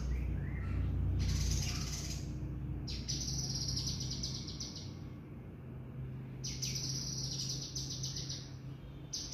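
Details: Scaly-breasted munia in active song: high, thin, buzzy trills held for two to three seconds at a time, broken by short pauses, over a steady low background hum.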